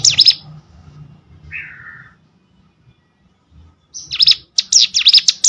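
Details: Hill Prinia, training audio for competition birds: brief high chirps at the start, a lower short buzzy note, near silence, then a fresh run of rapid high, sharp chirps toward the end.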